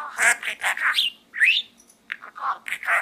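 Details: Budgerigar kept as a pet, chattering inside a small gourd in a continuous run of raspy, speech-like syllables mixed with quick rising whistles.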